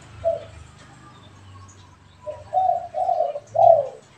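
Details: Pet and wild spotted doves call back and forth: a single soft coo, a pause, then three mellow coos building to a louder final note, over a low background hum.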